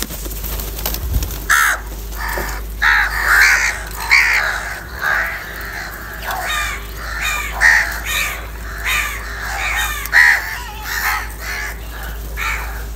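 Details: Several crows calling live, described as fighting, angry and calling for food: harsh overlapping caws in loose bursts across thirteen seconds, voices crowding one another with little pause.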